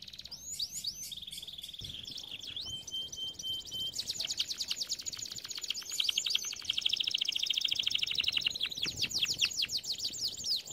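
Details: Canary training song over background hiss: chirped swoops and a flat whistled tone give way to a long, fast, rattling trill that grows louder.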